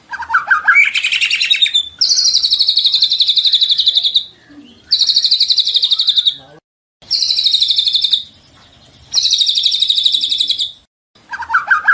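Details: A white-rumped shama (murai batu) delivers a showy song of fill-in phrases: long, harsh, buzzy rattling bursts of about two seconds each, repeated with short silent gaps between them.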